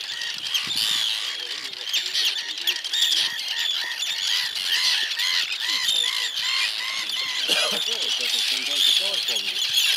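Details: Arctic terns defending their nesting area on the Farne Islands, North East England, diving mainly at people's heads, give a dense chorus of harsh, arched alarm notes repeated rapidly by many birds, with a brief human voice near the end.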